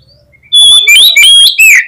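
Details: Fighting song of an Oriental magpie-robin, used to rouse rival birds. After a quiet start, loud piercing whistles with sliding, looping pitch come in four rapid bursts.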